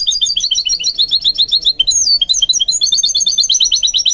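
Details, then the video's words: Dense, continuous high twittering from a goldfinch mule being taught to sing, rapid chirps tumbling together with a few sliding whistles. "What I Learned from Training My GOLDFINCH Mule to Sing"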